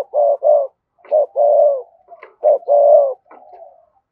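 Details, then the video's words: Spotted dove in a provoking 'thúc gù' coo and a song meant to call wild doves. Three mellow coo phrases, each of short hooting notes and a long drawn coo, with softer trailing coos after them. "cu gáy thúc gù & gáy gọi bổi hay"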